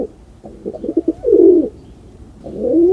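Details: Pigeon giving two low coos, a few quick stuttered notes leading into a smooth, bowed hum, then a second drawn-out coo starting; soft low room noise beneath.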